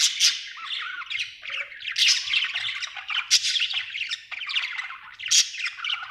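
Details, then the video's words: A happy budgie warbles nonstop, mixing harsh squawks with quick twittering chirps and occasional sharp, loud bursts roughly every second or so over six seconds. "Happy budgie chirping sound"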